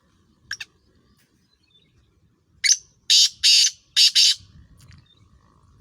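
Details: Francolin, a Sindhi Sheedi Chiringa cross with Sindhi Kala Tetar (black francolin), giving grating broadband notes: a brief doubled note, then a run of four loud rasping bursts, with low background rumble.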